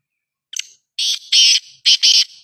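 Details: Kala teetar, the black francolin, at Sukkur in Pakistan, giving its rasping five-part call: one brief note, a pause, then two broad scratchy blasts and a closing pair, against an otherwise quiet background.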